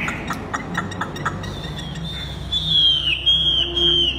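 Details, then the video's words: Tame caged Chinese hwamei singing at a mirror in place of a rival: low rumble and faint ticks at first, then a loud, clear, wavering whistled phrase in the final seconds. "Chim thuần 100% sách tay hót,Ở nhà ko có đối thủ nên phải cho soi gương"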